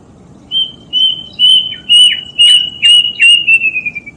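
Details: Kedasih, the plaintive cuckoo, delivering a steady series of pure whistles repeated roughly twice a second, each slightly lower than the last, finishing with rapid fading notes; steady low rumble beneath.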